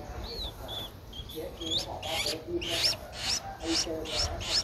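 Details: Streak-eared Bulbul chick, 12 days old, recorded in Ubon Ratchathani, Thailand, on 14 April 2023; soft short whistles give way to a string of sharp, rising high chirps about twice a second, over steady background hiss.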